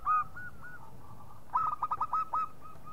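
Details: Local zebra dove lure call: a few soft, separate curved hoots, then a rapid staccato cluster of brighter bubbling notes, then softer hoots trailing off.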